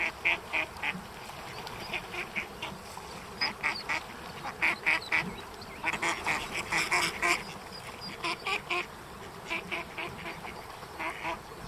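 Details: Female mallard struggling to keep her brood of ten in order: bursts of short nasal quacks, several per second in uneven runs, some louder and clustered, over a steady broad background hiss.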